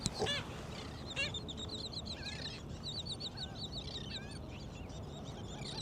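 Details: Several gulls, very active and vocal on a beach at Jones Park, Gulfport, Mississippi, on a morning at low tide, give a harsh opening cry, then a busy stream of short, high, repeated squealing notes over steady surf or wind rumble.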